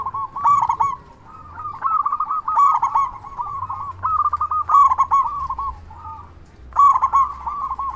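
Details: Vigorously singing local zebra dove with a big voice, played to provoke other zebra doves into answering; continuous stuttering coos with emphatic, harsh-edged bursts roughly every two seconds and a faint low hum underneath.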